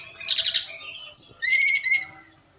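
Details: Forktail lure call at night meant to rouse other birds into answering. A buzzy trilled burst comes first, then a thin high whistle and a rapid warbling phrase before the sound fades.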